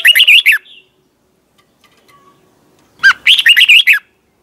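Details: Morning competition song of a red-whiskered bulbul in the twisting 'giọng xoắn' style, kept for training other birds: two lively, rippling warbled phrases three seconds apart, each opening with a sharp rising note.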